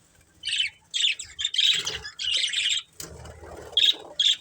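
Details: A budgie family keeps up chirping: bursts of buzzy, high-pitched chatter, some drawn out for nearly a second, separated by short pauses, with a faint low rustle underneath.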